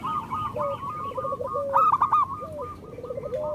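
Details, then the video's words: Zebra doves, local birds, singing as a prompt for silent doves: continuous chattering coo series with one louder accented burst, over lower wavering coos. "Perkutut lokal gacor Masteran Perkutut Suara Kristal"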